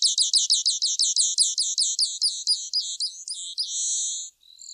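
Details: Grassland yellow finch (Sicalis luteola) song: a series of high repeated notes that slows and breaks up, ending in a sustained buzzy note.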